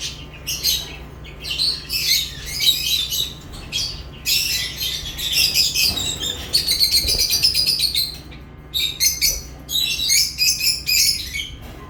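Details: Lovebirds chirping: dense bursts of shrill, high chirps and twitters, some overlapping, in clusters separated by short pauses, with a faint steady low hum underneath.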